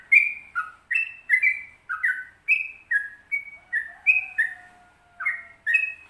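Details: Sooty-headed bulbul in 'ropel panjang' long song style: lilting whistled notes alternating high and low in quick succession, with a thin, long, falling whistle running beneath part of the phrase.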